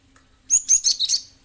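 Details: Cinereous tit (gelatik batu), used as a lure so other birds reply: a loud, rapid series of five high, bright chirping notes delivered in just under a second.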